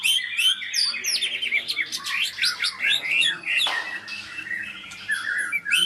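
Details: White-rumped shama of the Medan type, from Medan parent stock, singing a dense, fast run of varied whistles and chirps with high sweeping notes, broken by a brief burst of hiss partway through.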